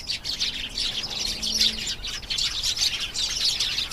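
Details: Canary delivering an unbroken stream of high, fast trilled notes and chirps, steady and loud from start to finish.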